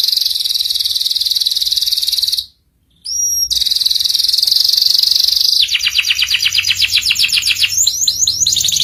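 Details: Canary singing for young canaries to learn the ngeriwik style: a long dense high trill, a brief pause with a clear whistle, then buzzing trills breaking into faster pulsed rolling notes.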